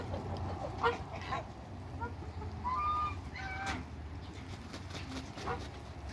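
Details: African and Toulouse geese in a backyard farm flock, kept with hybrid offspring: a few short nasal honks, the clearest a drawn-out level note near the middle, over steady low rumble and background noise.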